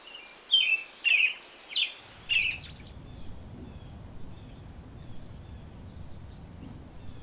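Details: American robin in the wild in Canada giving four loud whistled phrases in the first seconds, then fading to faint distant notes over steady low rumbling background noise.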